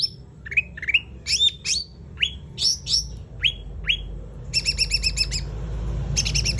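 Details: Sumatran laughingthrush delivering tembakan in its gacor song: a string of loud, clear down-slurred whistles spaced roughly half a second apart, then a quick burst of high staccato chirps, with a steady low hum beneath.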